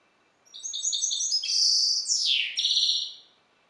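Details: Goldfinch hybrid bred from the Balkan subspecies balcanica sings a brisk series of high chirps building into a dense buzzy trill, a steep downward sweep, then a closing twitter.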